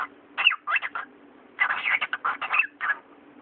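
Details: Cockatiel mimicking speech, a few scattered chirpy syllables followed by a dense chattering string of about ten word-like notes, ending on a short rising phrase, with a soft background drone.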